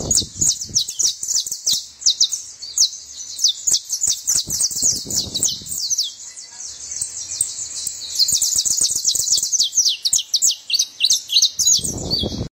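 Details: Saffron finch singing: continuous high, sharp chirping and twittering, several notes a second, with scattered clicks and handling knocks underneath.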